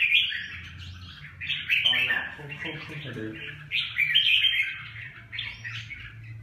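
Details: Red-whiskered bulbul song: rapid, bright, slurred chirping phrases repeated in short bursts, with a brief lower rattling sound in the middle and faint speech-like murmurs and a low hum in the background.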